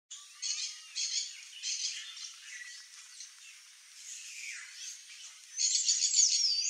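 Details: Sayaca tanager (Thraupis sayaca) giving a high, thin, squeaky twittering song in quick bursts, with a louder burst of high notes near the end.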